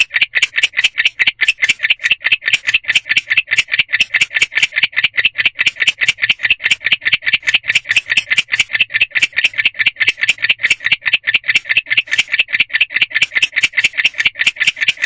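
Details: Barn owl male calling from a drive-side owl box around 1:21 am, his chirping meant to call a partner; a long, regular train of scratchy chirps at about two and a half per second throughout.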